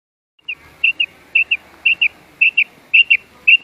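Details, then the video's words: Female quail (batair) calling at night: crisp, high whistled notes given in close pairs, each pair repeated about every half second in a steady run over a quiet background. "Raat Ki Liye Batair Ki Awaz | Batair Ki Awaz | Quail Sounds | Female Quail Calling"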